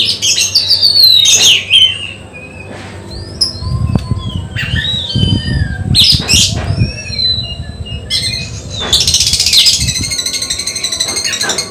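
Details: Oriental magpie-robin in contest-preparation training gives clear whistled phrases and sharp notes, with a stretch of low fluttering, thumping noise midway and a dense burst of song near the end.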